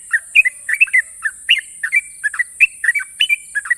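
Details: Champion sooty-headed bulbul giving long sharp trills: lively clusters of short warbled chirps, some ending in drawn-out thin whistles, continuous through the clip above a steady high hiss.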